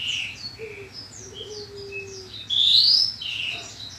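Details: Horsfield's bushlark song recorded in 2022 as training material for kept birds: scattered thin twitters and short slurred notes lead to one loud, bright rising whistle, over a steady low hum.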